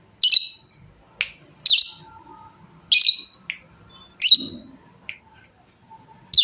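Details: Lovebird, described as a fighter type valued by hobbyists for long chattering 'ngekek panjang'; short loud harsh bursts, each a dense buzzy rasp, repeated irregularly about every second, with faint low background hum.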